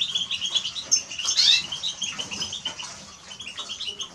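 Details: Eurasian siskin song: a dense, fast twittering of high, bright notes with a brief wheezy, drawn-out phrase near the middle, fading slightly toward the end.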